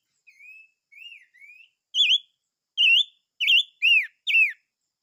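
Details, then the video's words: Chim ngũ sắc song: a series of clear whistled notes, first soft drawn-out slurred whistles, then louder, rich upslurred and downslurred phrases repeated roughly every half second. "Chim Ngũ Sắc Hót - tiếng chim ngũ sắc hót"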